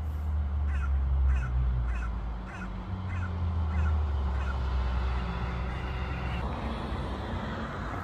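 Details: A hooded crow from a small family living near a Norwegian airport, fed bread, gives about eight short, hoarse caws, roughly one every 0.7 seconds, over a heavy low engine rumble.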